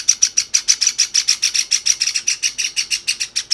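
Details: Two pet Java sparrow chicks, one white and one cinnamon, beg from each other instead of feeding themselves, with a rapid, steady stream of thin, high chirps, about seven a second, with nothing else audible.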